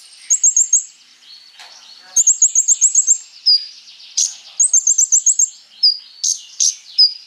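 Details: Scarlet-backed flowerpecker (konin) singing constantly with a full repertoire, used as a lure to draw replies from sunbirds: very high, thin twittering trills repeated in bursts, with sharp ticks and short whistled notes between.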